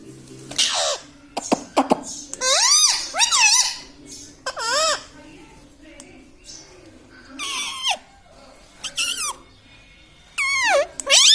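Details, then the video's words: Pet parrot talking, said to say "mithu" and "mummy papa" indoors: several loud, harmonic, arching vocal bursts, some rising then falling, separated by pauses, with soft clicks and room noise between. "Parrot talking mithu mithu || mai bolunga || मम्मी पापा बोलता तोता"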